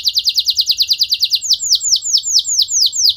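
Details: Canary song said to incite other canaries to sing: a rapid run of bright descending notes slowing into evenly spaced, curved high whistles.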